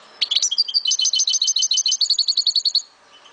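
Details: Song of a kept European goldfinch from Souk Ahras, Algeria: a burst of sharp high notes leading into a long, rapid series of liquid, tinkling repeated chirps, over three per second, ending abruptly.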